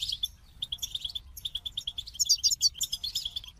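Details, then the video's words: Goldfinch song: rapid run of bright, clipped twittering notes, many repeated in quick series, mixed with tinkling higher trills and buzzy elements; continuous and lively throughout, faint low rumble beneath. "The Captivating Call of Goldfinches"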